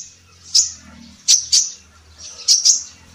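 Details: Female sunbird, known as kolibri ninja in Indonesia and used to tutor songbirds, utters sparse piercing high chirps, single and paired, over a steady low hum.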